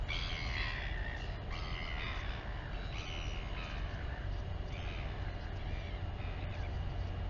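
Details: Royal albatross mother and chick during a feeding at the Taiaroa Head colony near Dunedin, New Zealand, on a nest camera; several hoarse, broken harmonic calls, louder at first and fading, over constant wind noise.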